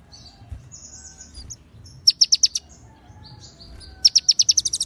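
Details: Shama konin song carrying cililin and ciblek fills, delivered clearly with pauses: faint thin whistles, then a short series of sharp high chirps, silence, and a longer accelerating chirp run.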